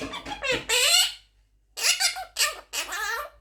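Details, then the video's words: Eleven-month-old Quaker parrot talking indoors: squeaky, strongly harmonic chattering syllables, a long wavering burst followed by a pause and three more quick nasal phrases, in a small quiet room. "11 Months Old Quaker Parrot Talking | Parrot Speaking"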